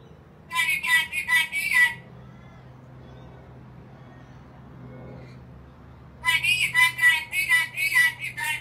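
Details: Black-capped lory, described as angry, gives two bursts of loud, harsh, nasal squawks, several quick notes a second, separated by a few seconds of quiet background hum.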